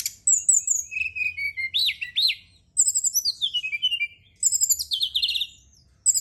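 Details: Brown-chested jungle flycatcher song from a lure played after dark to make birds sing: clear high whistles and looping slurred notes in phrases a second or two long, with crisp gaps of silence between them.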